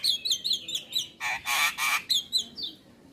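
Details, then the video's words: Javan myna on a morning training recording: quick descending whistled notes, three broad, nasal, honking squawks, then more falling whistles fading out. "Masteran Burung Jalak Kebo Wajib Putar Setiap Pagi Bikin Jalak Cepat gacor"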